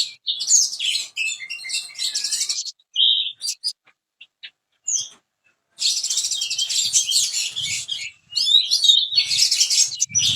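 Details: Spotted 'trotol' oriental magpie-robin in full song with absorbed lovebird mimicry, a lure for other magpie-robins: bursts of rapid, buzzy high-pitched chattering, a short pause, then sustained dense twittering to the end.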